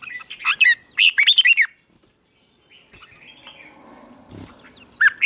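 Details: Red-whiskered bulbul singing in the morning to stimulate singing contests; a loud warbled phrase of quick whistled notes, then near silence with faint background sounds, and a fresh phrase starting at the end.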